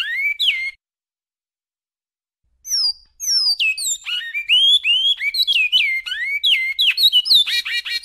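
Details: Great-billed seed finch (bicudo) singing the classic Goiano song: loud, clear whistled phrases, many sweeping down from high to mid pitch, in a rapid rich run after a brief pause.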